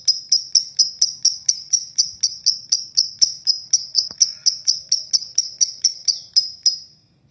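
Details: Lovebird ngekek, a long harsh chatter meant to stir other lovebirds to sing: a steady run of clipped, bright, high ticks, roughly three each second, with a few faint knocks underneath before the series stops.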